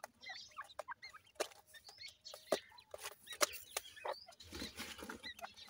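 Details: Francolin chicks, dakhni teetar of Punjab, Pakistan, peep in short high curved notes, mostly in the first seconds, among loud clicks, taps and a later burst of hissy rustling.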